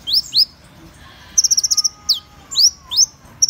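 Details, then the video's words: High, thin song of Van Hasselt's sunbird, mixing sharp upswept and downslurred notes with a fast rattling trill of tiny chips, in short bursts separated by brief pauses. "Tiếng chim HÚT MẬT 7 MÀU chuẩn ✅Van Hasselt's Sunbird(Leptocoma Brasiliana)"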